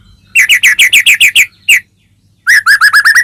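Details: White-rumped shama (murai batu) singing continuously in loud open ngeplong style, used as a lure to make caged birds sing: a fast run of about ten sharp chirps, a pause, then a second rapid burst of rising chirps.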